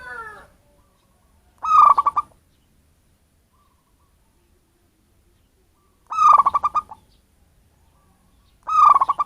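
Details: Local wild zebra dove, not captive-bred, in a bird-luring recording. It gives three bursts of rapid, rhythmic cooing notes at uneven intervals of about two to four seconds.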